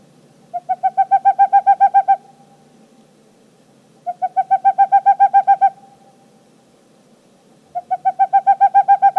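Boreal Owl giving fast runs of about ten mellow, hollow hoots that swell in volume, each run lasting under two seconds and repeated every few seconds.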